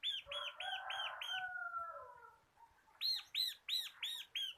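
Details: Local crystal-type bar-winged prinia, a lively singer kept as a tutor bird for training cage birds, gives five fast arched whistled notes. A lower, drawn-out warbling phrase follows, then another run of bright repeated notes.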